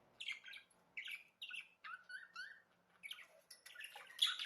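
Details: Budgerigar song in short bursts of chirpy, scratchy warbles and rising whistled notes, separated by brief gaps, ending in a louder burst of harsh chatter.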